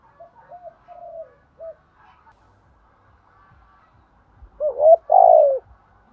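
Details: Spotted doves cooing to call the flock and rouse decoy birds: soft short coos, a quiet stretch with a faint hum, then one loud phrase of hollow coos with a burry rolling note.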